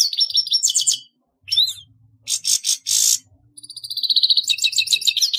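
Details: Grey-headed goldfinch singing, with buzzy trilled phrases, a short twisting whistle, a few loud scratchy bursts after a pause, then a long rapid rattling trill building in volume.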